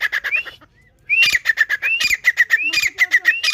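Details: A female grey francolin calls loudly, a recording used as a hunting lure. A rising whistled note is followed by a quick run of sharp, metallic notes, repeated in rhythmic bursts with brief pauses.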